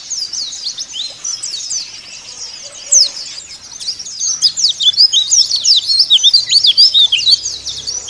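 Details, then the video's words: White-eye song serving as a lure for caged birds: softer scattered chirps at first, swelling after four seconds into rapid, dense, high twittering chatter. "Pancingan Pleci Agar Buka Paruh Sobek-Sobek"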